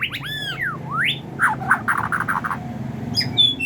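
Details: White-rumped shama from Medan singing in the bowing style, used as a lure for training young birds: fast varied whistles with sweeping rising and falling slurs, then a run of short rapid notes, ending in high bright trills.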